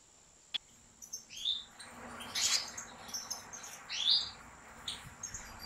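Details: European goldfinches kept by professional breeders inside a large aviary; bright, high twittering notes and short rising chirps come in quick bursts over a faint steady hum.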